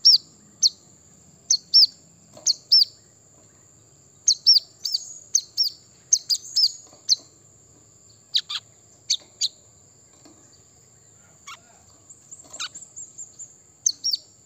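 Brown-throated sunbird giving sharp, high chirps in quick pairs and bursts, with a few lower downslurred notes and a thin steady whine behind.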